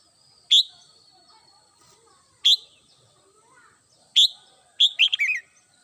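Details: Home-kept red-whiskered bulbul singing in the morning: three sharp downswept notes at intervals of one to two seconds, then a quick run of chattering, jumbled syllables that tumble downward.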